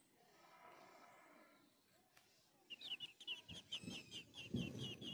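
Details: Yellow-legged thrush chicks being fed by parents at the nest: after a quiet start, a rapid run of short, high chirps repeated about five per second, with soft low rustling thumps beneath.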